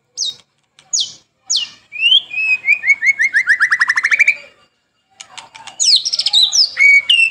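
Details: White-rumped shama, a cage bird, singing for morning and evening training: three falling whistled notes, then a long run of rapid notes climbing in pitch, a pause, and a burst of high twisting whistles.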